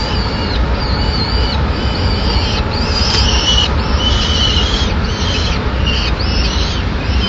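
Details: Peregrine falcon chick, the only one left in a nest on a ledge in Madrid, 25 May 2016, begging as the female arrives with a pigeon; drawn-out, high, whining calls repeated about every second, over steady low city traffic rumble.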